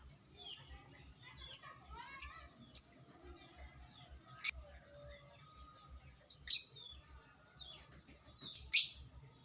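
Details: Lovebird calls used to provoke other lovebirds: scattered sharp high chirps, several in quick succession and then single harsh notes at uneven gaps, with faint lower squeaks and a soft rhythmic thumping.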